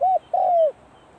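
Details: Spotted dove calling as it practises at the onset of the cold season, giving two low mellow coos, a brief rounded note then a longer sliding one that falls away at the end, against a quiet background.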